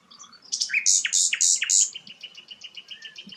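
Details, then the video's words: Sikatan londo, a rare flycatcher, sings four loud, piercing high notes in even rhythm, followed by a softer trailing series of quick repeated chips. "burung langka sikatan londo"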